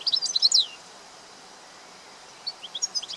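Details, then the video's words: European goldfinch in the wild giving a fast burst of high liquid twitters and descending slurs, a pause, then a lighter scatter of tinkling notes, with faint ambient outdoor noise. "طائر الحسون في الطبيعة"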